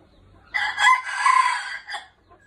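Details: Red junglefowl kept as a decoy, golden-hackled: one loud, harsh crow of about one and a half seconds, rising sharply and then trailing off in a short tail note.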